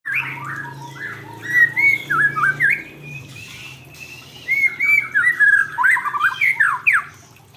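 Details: Male white-rumped shama singing, rich varied whistled phrases with quick slurred notes and chattering bursts, separated by a short pause, with a low steady hum beneath.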